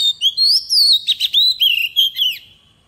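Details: Decoy Oriental magpie-robin delivering a forest-style song used to coach young birds: loud arching whistles, a cluster of raspy chattering notes, then smooth descending and rising whistled slurs fading out.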